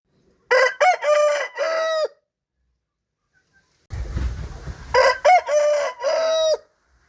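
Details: Rooster giving two full crows, each a burst of short choppy notes then a long steady drawn-out note, the second crow over a burst of broadband rustling noise.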